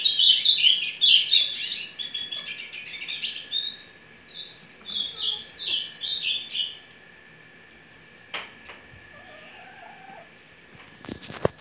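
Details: An ultramarine grosbeak warming up in the quiet "surdina" or "carretilha" song style: quick, sweet warbled notes, first a dense chattering run, then a clearer whistled phrase, before falling quiet with faint background clicks.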